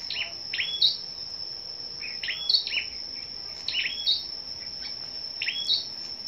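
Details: ['Morning of 10 May, a gathering of scarlet-backed flowerpeckers singing against each other; sparse, sharp high chips in small clusters every second or two, separated by pauses, with a steady shrill background tone.']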